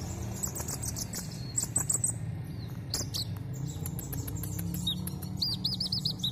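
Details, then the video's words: Van Hasselt's sunbird (kolibri ninja), competition birds kept in a colony setup with a female, in a contest of high trilling 'ngerik' song while flaring; sharp high chirps and short wavering trills sound over steady low background hum. "Adu KONIN ngerik sambil ngobra"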